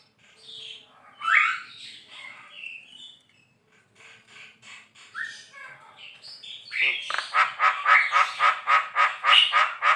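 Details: Javan myna (jalak kebo) singing vigorously, recorded as a tutor song for songbirds: scattered whistles and rising squeaky notes, then a loud run of harsh, rapidly repeated chattering notes, about three a second.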